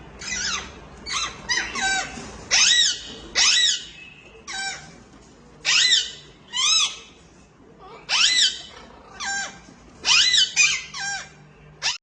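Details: Indian ringneck parakeet, a female feeding her chicks in the nest; loud, harsh, arched squawks in bursts of two to four notes, each burst about a second apart with brief pauses, and faint background hum.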